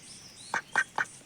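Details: Male domestic duck (Anas platyrhynchos domesticus, drake) gives three short, soft, raspy notes about a quarter-second apart; drakes make low, weak sounds and cannot quack loudly like the sharper, higher-voiced females.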